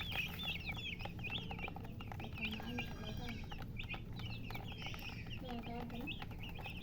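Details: Baby chickens peeping: a dense stream of high, short, rising-and-falling chirps repeated rapidly and overlapping throughout, with lower clucking notes and faint background noise.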